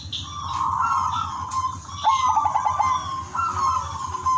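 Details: Zebra dove of the udanmas silver type, singing actively with a melodious rhythm, used to prompt other zebra doves to sing: cooing phrases near one pitch, one with a quick staccato stutter, while higher chirps of other birds and a low hum continue behind.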